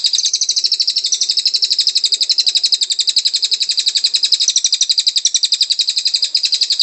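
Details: Greater green leafbird, caged, in a training song recording: a sustained fast trill of high, slightly buzzy notes repeating several times per second for the whole seven seconds, with small pitch wobbles in the repeated notes.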